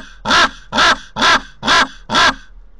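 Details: Common raven (Corvus corax) recorded by a nest camera at a cliff nest site in Corbera de Llobregat, Barcelona, giving five harsh, hoarse croaks in a steady series, about two per second, in a quiet background.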